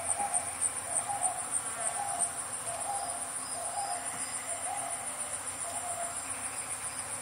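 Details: African grey hornbill calling close by, answered by another in the distance, gives a steady series of plaintive piping notes, about one a second, over a constant high insect trill; a vinaceous dove also calls.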